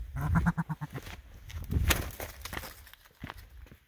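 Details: Aggressive, fearless male blue or dusky grouse near his territory on the Skookumchuck Trail, confronting a hiker: a quick run of about eight low, throaty clucks in under a second, then footsteps and a man speaking.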